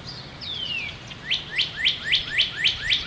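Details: Northern cardinal singing on the first day of spring, 2011. One long, smoothly falling whistle leads into a brisk, even series of six sharp upslurred notes, clear and loud over quiet surroundings.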